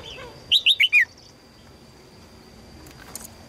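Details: Calling female red-whiskered bulbul seeking a strong male gives a single run of four crisp descending chirps, then quiet with faint distant chirping.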